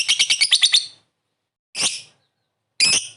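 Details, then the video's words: Lovebird call with ngetik and ngekek, used as a lure for a fast reply: a burst of six quick, high, scratchy chips in under a second, then two separate harsh squawks after pauses. "Suara burung Lovebird memanggil di sertai ngetik ngekek pancingan labet cepat respon"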